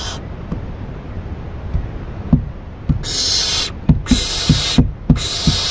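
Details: Owl heard at night on 7 June 2012 around 4 a.m., several harsh breathy hisses starting after a quiet stretch, with soft clicks and low rumbling background noise.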